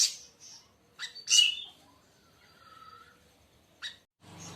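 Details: Scattered sharp high chirps and a soft lower whistled phrase from a siri siri raja (siri siri besar), with a brief rasping noise at the close.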